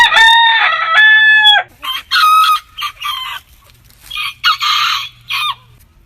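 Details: Rooster crow recorded among heritage backyard breeds, a loud harmonic call lasting over a second, followed by several short rough crows and clucking bursts.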